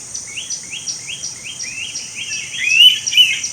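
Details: Indian pitta in Goa, India, May 2021; another bird's quick rising notes, repeated about three per second, come first, then a louder two-note pitta whistle, all over a high insect hum.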